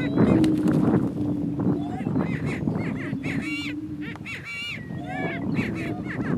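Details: Two male Greater Prairie-chickens battle for dominance on a lek in northeast Kansas, cackling and whooping in overlapping, honking bursts over a low, steady booming hum, at a fast pace.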